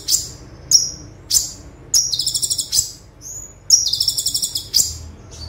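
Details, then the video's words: Olive-backed sunbird (konin) 'tembakan' song for training kept birds: a run of sharp, high, spaced chips, then two quick buzzy trills with piercing notes between them. "Konin Tembakan Super Mewah - Konin Gacor Full Tembakan - Masteran Konin Gacor"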